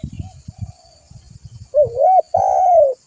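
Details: Used to entice other doves, a spotted dove gives a two-part coo and then a long, drawn, gently falling coo, following a run of low tapping and clattering.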